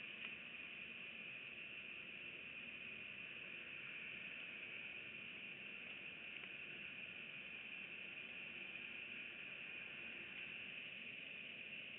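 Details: No animal sound is heard, only steady broadband hiss from a live nest camera for the whole stretch.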